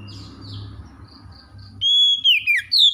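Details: Caged magpie-robin kept to recover from stress and sing freely: after quiet background chatter from other birds, a loud clear whistled phrase starts near the end, a long steady note that bends downward, then sharp rising whistles.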